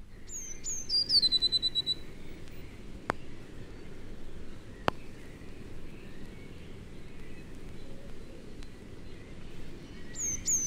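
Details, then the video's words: A blue tit in a broad-leaved British woodland in late January sings its higher-pitched song: a couple of very high thin notes, then a quick descending trill, repeated near the end, over low background rumble. "Mainly from late January onwards, the blue tit sings a higher-pitched song."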